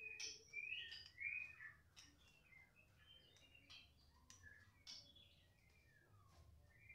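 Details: Young wild-caught white-rumped shama, worked up on hearing another shama, sings faint varied whistled phrases: short rising and falling slurs and sharp notes in quick irregular bursts over a low steady background hum.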